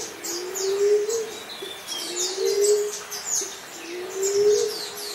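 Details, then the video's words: A Common Emerald Dove gives low, soft, rising moans, one about every two seconds, over a busy background of high chirping birds. "DELIMUKAN, LIMUKAN, PUNAI TANAH, TEKUKUR TANAH, EMERALD DOVE"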